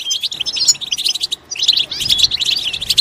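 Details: European goldfinch song meant to stimulate other goldfinches into loud singing: rapid, liquid twittering with tinkling high notes and short buzzy trills, broken by a brief pause near the middle.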